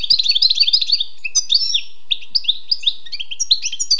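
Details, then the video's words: European goldfinch in the wild: a dense second of fast tinkling twitter, followed by spaced sweet chirps and short slurred notes delivered at a lively, uneven pace. "Écoutez et appréciez le doux chant du chardonneret sauvage"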